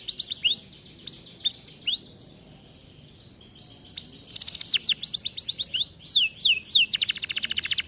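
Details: Aviary-kept canary singing, a tutor recording for young singers: short whistled phrases and sweeps, a quiet pause of about two seconds, then dense rapid trills and a fast high rattle to the end.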